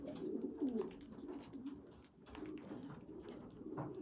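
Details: Young pigeons where a weak small youngster feeds stronger siblings; wobbly low whining calls, loudest early, then softer repeated murmurs amid faint shuffling and clicks.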